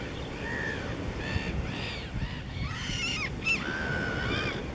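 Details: Armenian gulls (Larus armenicus) in Cyprus give nasal, overlapping mewing calls, several birds at once, over a steady rumble of wind or surf.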